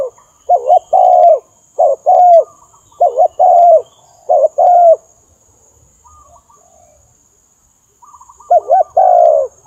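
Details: Spotted dove call used as a trapping lure: repeated low cooing phrases, each a brief wavering note followed by a longer steady coo, four phrases in a row, a quiet pause, then one more phrase.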